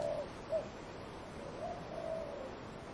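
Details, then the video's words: Brief burst of dove cooing with wind in trees: two quick low coos, then a longer drawn-out coo, all over soft windy hiss. "Dove cooing wind in trees"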